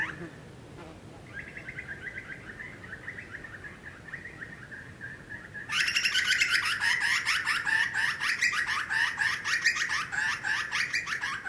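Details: Grey Butcherbird in the Australian bush: a steady, buzzy sustained calling, followed by a louder, rapid stream of chattering, laughing notes over light background hiss.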